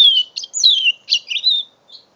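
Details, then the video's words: Mule canary at five months sings a brief phrase of long descending whistles mixed with quick chirps and a warbled flourish, closing on a soft note; phone recording made in November 2011. "My 5 months old mule canary"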